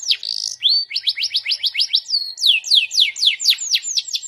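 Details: Non-stop singing canary with lively cengkok variations. A buzzy opening phrase leads to quick rising chirps in a steady trill, then long falling whistled sweeps repeated about three times a second.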